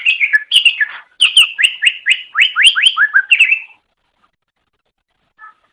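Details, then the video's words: Cucak ijo (green leafbird) masteran song: a quick series of downslurred whistled notes repeated in a rapid row, then silence with one faint distant note near the end. "Ocehan Suara Burung Cucak Ijo"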